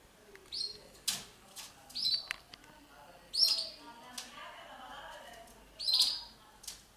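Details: Female red factor canary building a nest: short high chirps in small bursts about every two to three seconds, with soft wing flutters and rustling between them.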